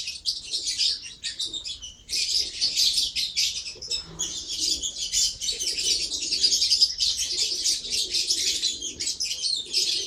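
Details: Lovebird twittering for ten seconds: high, harsh, rapid chirps in dense runs, a short pause near two seconds, then an almost unbroken shrill stream.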